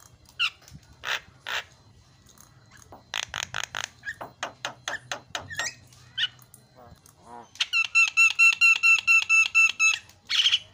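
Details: Javan myna (jalak kebo) fill-in song on a masteran used to get mynas shouting: scattered rasping notes build into a steady, rhythmic run of bright metallic chirps repeated about twice a second.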